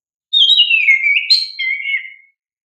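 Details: Kacer, the oriental magpie-robin, singing a lure song meant to make young caged birds respond: one continuous two-second phrase of fluid, descending whistles, broken by a bright high flourish and ending on a lower trill.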